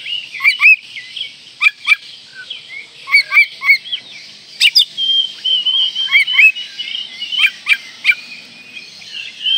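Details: Singing Oriental magpie-robin, in breeding condition and provoking rivals: rapid clipped whistles and hard clicks in short clusters, linked by a long wavering whistled strand.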